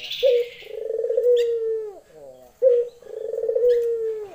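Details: Female Barbary dove calling to a male, in the lenjeh style: two low cooing calls, each a brief clipped note followed by a long, steady, slightly falling coo that drops at the end, with a short pause between.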